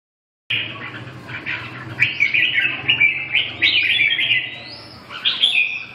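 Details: Red-whiskered bulbul singing: a lively run of bright, warbled chirps and short slurred phrases, rising and falling quickly, with a low steady hum beneath.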